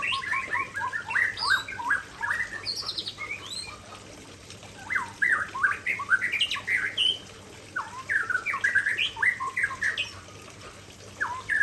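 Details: Loud, varied song of an Aceh white-rumped shama delivering its signature fill-ins: bursts of rapid chattering, squeaky and whistled notes, repeated in several bouts with short pauses between.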